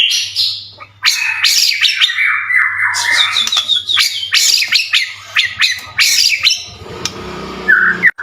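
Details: White-rumped shama singing, used as a lure to make other shamas answer: harsh scratchy squawks mixed with fast sweeping warbles and chattering notes, dense and loud throughout.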